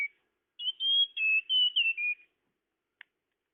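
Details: Tledekan lure sound: one phrase of rapid high whistled notes, slurring and dropping slightly in pitch, followed by silence and a faint click.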